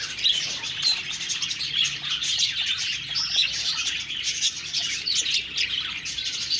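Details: Budgerigar chirping, a thick layer of bright, twittering notes and quick squeaks from several birds at once, constant and lively throughout.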